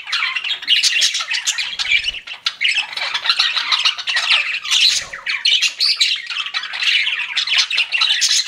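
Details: Several pet budgerigars chirp in a loud, unbroken chorus of scratchy chatter and twittering notes, with faint low thumps twice.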